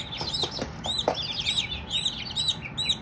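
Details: Baby Silkie chicks chirping together: dense, high, arched peeping notes, many overlapping, with a few soft lower clucks near the start; no talking.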